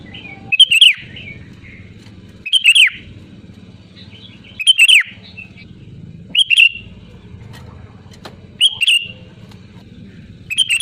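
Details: Loud Sooty-headed bulbul calling to rivals: a rich, bubbly whistled phrase repeated about every two seconds, separated by quiet gaps over a faint low hum.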